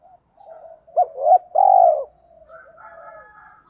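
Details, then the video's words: Kích bổi-style song of a spotted dove: two quick hollow coos, then a sustained deep coo. Faint lower cooing and soft higher warbling follow. "tiếng chim cu gáy kích bổi"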